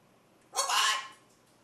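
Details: Macaw chattering indoors, one harsh, grating squawk of about half a second, loud and broadband, in an otherwise quiet room.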